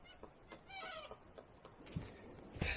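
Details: In forest in Huerquehue National Park, Chile, a bird believed to be a Magellanic woodpecker gives a harsh, nasal, goat-like bleating squawk, followed by a few dull knocks as it pecks a tree.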